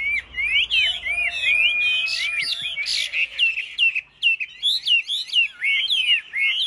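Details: Male Chinese hwamei kept in a cage, singing competitively: bright, swooping whistles and sharp upslurred notes in quick bursts, separated by short gaps, with a faint steady tone running underneath early on.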